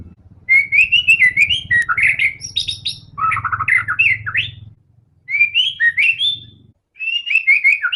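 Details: White-rumped shama in full song, used to encourage other shamas to sing: bright whistled phrases mixed with harsh chattering and high squeaky notes, in bursts with short gaps, over a low rumbling background hum.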